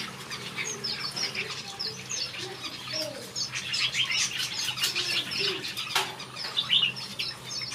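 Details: Finches in a backyard aviary keep up a lively mix of high chirps and fast twittering. The notes grow denser in the middle, with light fluttering and a sharp tap around six seconds.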